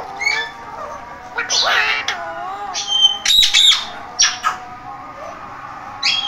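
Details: Parrot vocalizing indoors with scattered squawks, brief high whistles and rough, speech-like sounds separated by short quiet gaps.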